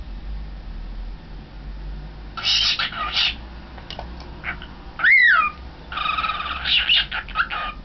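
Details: Young pet cockatiel before a mirror, recorded 2012-03-20: scratchy raspy bursts and soft ticks, one clear whistled note sweeping up then down in the middle, then more rasping chatter, with a low room hum throughout.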